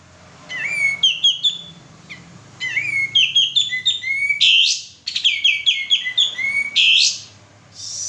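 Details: Lure recording of a vigorously singing male sooty-headed bulbul: quick runs of clear rising whistles and chirps, punctuated by rough, burry bursts, with brief gaps between phrases.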